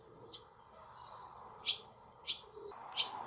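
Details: Barn swallow nestlings in a cowshed, 28 July 2024: three or four isolated, sharp high chirps spaced about half a second apart over a quiet background.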